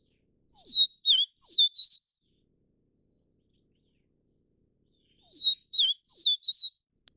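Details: Vivid niltava of the Taiwan subspecies Niltava vivida vivida, a broadleaf-forest bird of Taiwan's mountains: two clear phrases of high, sweet whistled notes with wavering up-and-down slurs, four notes each, spaced about four seconds apart in silence.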